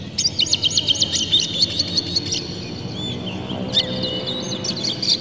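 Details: Oriental magpie-robin, a kept songbird, singing to provoke other magpie-robins into song: rapid runs of sharp high chirps and whistled notes, dense and varied, with a steady low background hum.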